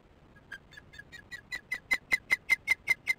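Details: Osprey alarm calling at a nest during an evening chick feeding on 22 July 2015, recorded by a nest camera; a steady series of sharp, high chirped notes that grow louder, about two and a half per second.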